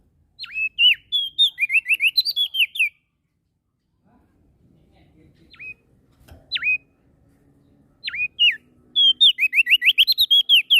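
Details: Prenjak daun (prinia) from NTB, Lombok, singing actively; described as singing morning, noon and night. Bursts of rapid, high, whistled upslurred notes open and close the clip, with single sharp V-shaped whistles spaced between them.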